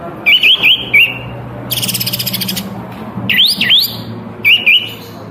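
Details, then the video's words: Lively white-eared bulbul fanning its tail while singing: clear whistled phrases of quick upslurred and looping notes in short bursts, interrupted by a dense rattling buzz and a low hum. "Masteran Burung Kapas Tembak Gacor Buka ekor"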